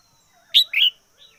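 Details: Red-whiskered bulbul kept as a decoy bird, recorded singing strongly in 2021: one short, loud, liquid two-part phrase, a sharp upward note then a rolling warble, trailed by a faint soft whistle.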